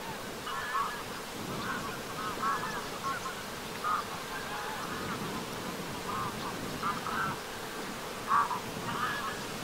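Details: At sunset on 13 August 2023, Greylag geese pass in flight along Lake Vänern, Sweden, trading repeated harsh honks in irregular clusters, with one louder call near the end, over a continuous background hiss.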